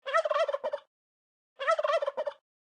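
A turkey gobbles twice, each a rapid, wobbling burst of about three-quarters of a second, separated by a brief silence.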